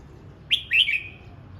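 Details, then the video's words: Red-whiskered bulbul practising its voice, delivering a single brief phrase: a sharp upward whistle followed by a slurred, warbling descending trill, clear against faint low rumble. "Chào mào hót luyện giọng"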